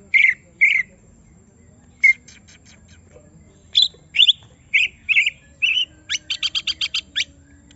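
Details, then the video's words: Greater green leafbird riled up by another bird gives spaced, loud chipped notes, then a quick even series of clipped high notes. "Semua Cucak Ijo Langsung Emosi Bongkar Isian mendengar suara Cucak Ijo lagi di Trek Emosi ini"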